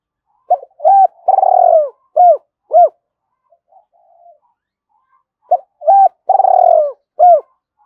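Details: Spotted dove giving continuous urging coos used to lure wild doves in: two bursts of mellow, hollow coo phrases, each a quick series of short notes around a longer rolling coo, the bursts about five seconds apart, with silence between.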